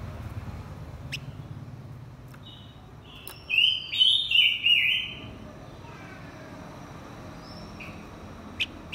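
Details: Blue-winged minla, male and female, singing a lure song to stir up wild birds: one quick warbled phrase of four bright, wavering whistled notes midway, with a quiet background and a few faint clicks.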